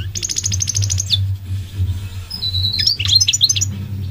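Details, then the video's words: Goldfinch, possibly a goldfinch mule, singing: a fast, high, buzzy trill of about a second, then bright twittering notes, over a steady low hum. "The elegant migratory goldfinch sings the most beautiful singing"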